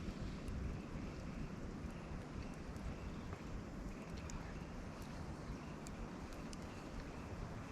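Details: A quiet, steady low wind or engine rumble fills the scene, with faint scattered ticks and no animal calls.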